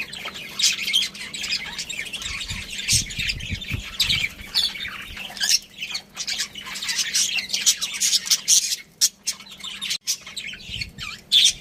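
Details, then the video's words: Pet budgerigars, a breeding pair kept with their family, chirping in rapid, busy chatter of scratchy high squawks and twitters that run on almost without pause, with a few brief gaps near the end. "Cute Budgies Chirping Sounds"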